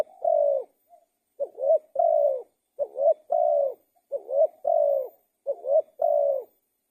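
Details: Repeated song of a spotted dove. About five phrases, each opening with a quick low note that rises into a swelling coo and ends in a long level coo. The phrases are spaced about a second apart and the background is quiet.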